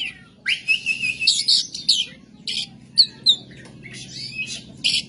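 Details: Oriental magpie-robin pouring out coarse, scratchy song material: a rapid series of harsh, buzzy bursts mixed with short whistles, each a fraction of a second, steadily repeated with brief gaps.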